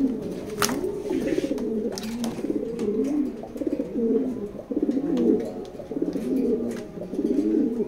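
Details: Steady run of racer pigeon coos, low and gurgling, each phrase bowing upward then sliding down, about one a second, with a few sharp knocks and clicks in the background.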